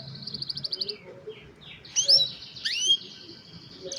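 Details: Young canaries singing for other canaries to learn from: a short fast trill, then scattered rising and falling whistled notes and a couple of louder sweeping phrases, against quiet low hum.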